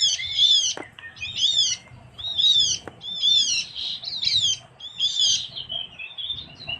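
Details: Javan grey-throated white-eye from Java, a bird-trapping lure sound: quick series of short, harsh chattering phrases with ringing whistled tails, about one per second, nearly continuous, over faint background noise.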